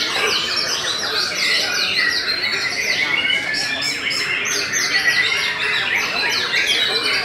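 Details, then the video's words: Belanda-type white-rumped shama singing steadily, a packed medley of clear whistles, buzzy trills and quick chirps, high-pitched and continuous, with brief drawn-out whistled notes standing out. "TOP CERR🔥 Murai Batu BELANDA Memang TOP - Masih Stabil"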